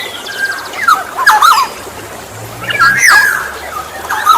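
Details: Kepodang emas, or Black-naped oriole, as a lure for other orioles: two bursts of whistled, warbling notes about two seconds apart, with faint high chirping from other birds between them.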